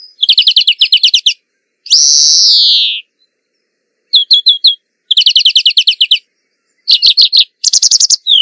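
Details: Singing European greenfinch alternating rapid chirping trills with a long nasal buzzing wheeze lasting about a second, then further bursts of quick repeated notes separated by short silences.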